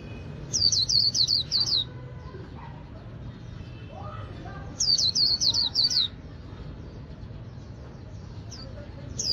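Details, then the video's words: Líu-style song from a kept white-eye of northern Vietnam: two bursts of about six sharp, high, downward-sliding whistles, each burst lasting just over a second, spaced some three seconds apart, with soft low background noise. "Chim khuyên líu đỉnh của nghệ nhân đất Bắc"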